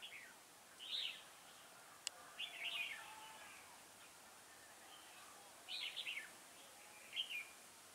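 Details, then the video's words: Trapping decoy red-whiskered bulbul delivers a series of rich warbled phrases, some rapid and rolling, separated by pauses, with a sharp click near two seconds and steady hiss. "Bẫy chào mào Đinh lân - hầu Dê dài như cái bơm"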